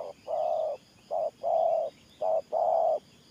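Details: Spotted dove cooing in the Thổ Pha gù style: low, hollow coos in pairs, a short note then a longer one, about three pairs in quick succession, with faint high bird chirps behind.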